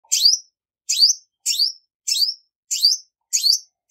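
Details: Female olive-backed sunbird song, recorded clean without background noise: six high, sharp chirps each sweeping up into a buzzy rising twitter, spaced roughly every half second or so.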